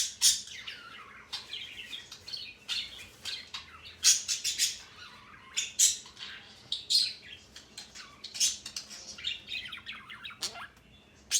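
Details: A male pet parrot giving a busy run of loud, harsh squawks and high chirps at irregular intervals, with a descending, whining slur near the end.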